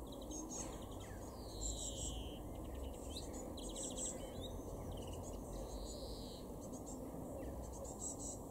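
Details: Garden greenfinch in Weener, East Frisia, northwest Germany, in June, giving repeated fast chirping trills and two drawn-out buzzy wheezes, one near the start and another later, against a constant low hum.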